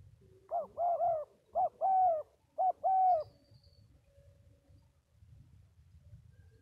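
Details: Spotted dove giving a burst of three quick coo phrases, short notes joined to longer hollow ones, then stopping, leaving only a soft low rumble.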